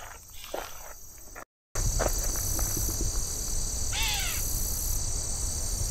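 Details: A Gray catbird hiding in dense shrubs beside a rail trail in Haldimand, Ontario, Canada, in late summer, gives a single nasal, downslurred, cat-like mew over a steady high drone of insects and some rustling.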